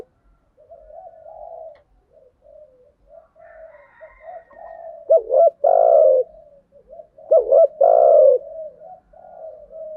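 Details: Male and female spotted doves in a lure recording meant to stimulate decoy birds, thúc gù and gáy gọi styles: long stretches of quiet, wavering low cooing broken by two loud, emphatic double coos.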